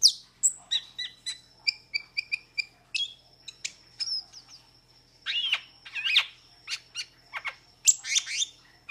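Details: Busy chattering from a metallic starling: rapid high clicks and chirps, a steady thin whistle running underneath, then louder wheezy, buzzy bursts toward the end.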